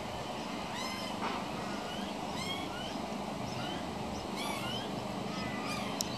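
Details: One of two young pied butcherbirds, being fed minced beef by its mother on a veranda railing, begs with short, scratchy, up-and-down squeaks, repeated irregularly every second or so, over a steady rushing background noise.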